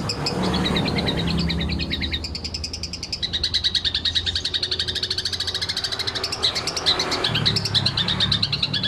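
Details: Long-tailed shrike at a bird-singing training contest in Indonesia, in ngekek style: continuous, fast, harsh rattling chatter with pulsed high notes, run together for several seconds amid background noise and faint voices.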